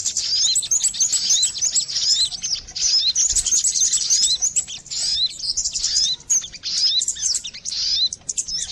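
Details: Sogon bird lure calls for catching birds: a steady, crowded chorus of very high, thin chirps and quick upward whistles, many voices overlapping without a break throughout.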